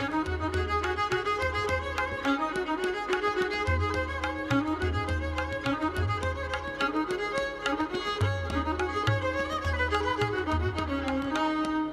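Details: Orchestral music with prominent violins and low strings plays throughout, with no animal sounds heard.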